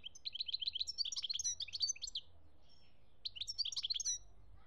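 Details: European goldfinch song from Algeria, 2017: rapid liquid twittering and tinkling notes in quick runs, a short pause, then another twittering phrase.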